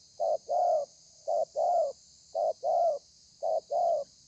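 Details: Thổ pha calling by a wild-caught spotted dove, 30/11/2020: four regular pairs of coos, each a short note then a longer swelling one, close and clear above a steady hiss.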